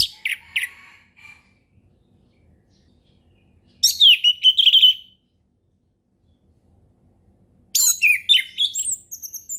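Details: Orange-headed thrush in relaxed ngeplong song, a forest-style lure for young learners: short clipped notes, then a loud, downward-sliding whistled phrase, and a final tumbling run of high, varied notes after a pause.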